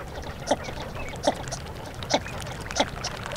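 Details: Northern shoveler: four separate deep, hollow, clipped notes spaced under a second apart, each a brief knock, with a faint noisy background.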